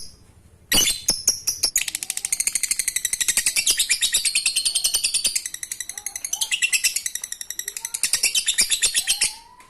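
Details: Lovebird ngekek song played to get reluctant lovebirds singing: a sharp opening note, then nearly nine seconds of continuous, fast, shrill chattering with shifting squeaky tones.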